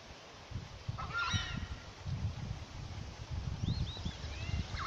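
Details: Southern screamer, locally called tapacare or chajá, in the Chaco of Santa Cruz; a single brief, harsh honking note near the first second, later faint thin rising whistles, all over a steady low rumble like wind or handling noise.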